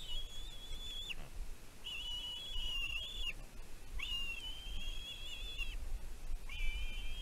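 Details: Nestling bald eagle at Two Harbors, Catalina Island, USA, calling about its mother's food deliveries, nest cam, 15 June 2023. Repeated drawn-out piercing whistles, each about a second long and ending in a downward slur, with windy low noise.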